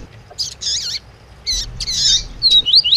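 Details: Double-collared seedeater singing in the tui tui style alongside a female's calls, used to rouse a male: bursts of bright, warbled high chirps in three groups, ending in quick rising and falling whistled notes, over faint low hum.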